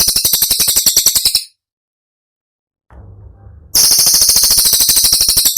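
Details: Cililin song used as a training recording for other songbirds, sharp and tight in character: rapid, dry, high notes fired at about three per second, a pause with a faint low hum, then the dense volley resumes.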